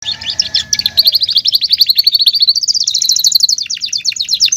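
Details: Canary singing: fast rolling trills of rapid repeated notes, first lower and mixed, then a steady high trill that steps up in pitch partway through, continuous for over four seconds.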